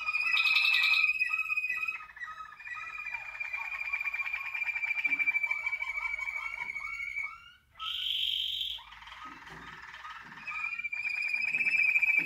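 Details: Song of Waterslager canaries recorded in 2019: a long, sustained rolling trill with quick bubbling pulses. It breaks off briefly near the eighth second, resumes with a bright high burst, then returns to a steady roll.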